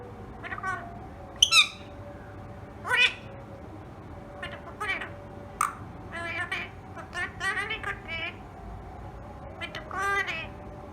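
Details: Pet rose-ringed parakeet talking indoors: a series of short, harmonic, voice-like syllables scattered over eleven seconds, some nasal and rising, with a steady low hum in the background.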